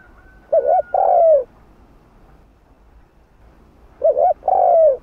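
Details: Spotted dove cooing in the 'hạp bổi' style played to stimulate caged doves, with two phrases three seconds apart. Each has a wavering double note followed by a long mellow coo sliding downward.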